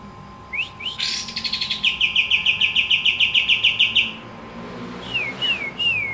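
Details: Javan kingfisher calling energetically: two quick rising whistles lead into a fast, even rattling trill lasting about three seconds. A few slurred descending whistles come after a pause.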